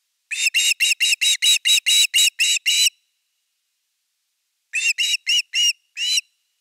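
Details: Osprey at nest #3 filmed by a Finnish live nest camera during the evening fish delivery, 30 August 2021. About ten rapid whistled chirps, a pause of nearly two seconds, then five more spaced chirps.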